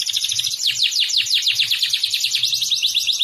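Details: Canary delivering a dense, rapid trill of high sweeping notes as training song for young canaries, bright and continuous throughout, with faint low murmuring beneath.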